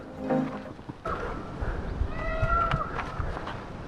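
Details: Peacocks give two loud, nasal, drawn-out calls, each held about half a second, over footsteps and rustling undergrowth with a brief voice at the start; shaded forest trail on Kaiwara hill trek, India.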